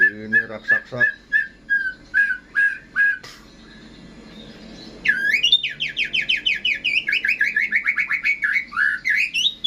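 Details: Contest-ready white-rumped shama: a series of separate clear whistles, a short pause, then a fast run of rising, sweeping notes repeated in quick succession.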